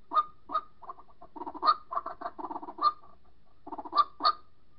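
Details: A White-breasted waterhen gives loud, throaty croaking notes in rapid uneven runs, with sharper accented calls every second or so, calling a mate; a lure call used to trap a second bird.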